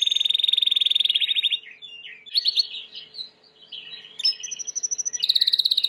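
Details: Timbrado canary, white canary, singing for training: a rapid rolling trill, varied chirps and slurs, then another fast high trill closing the phrase.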